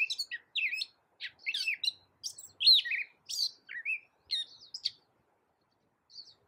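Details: Gray catbird song used to tutor cage songbirds such as magpie-robins; loose series of short scratchy and whistled phrases, each different, delivered in bursts about half a second apart, then a pause and a faint closing note.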